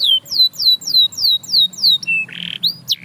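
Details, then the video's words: Canary song meant to set other canaries singing: slow, evenly spaced downward-sweeping whistles, then a short flat note, a harsh buzzy burst and a final rising chirp. "Watch How This Canary Inspires Others to Sing Again!"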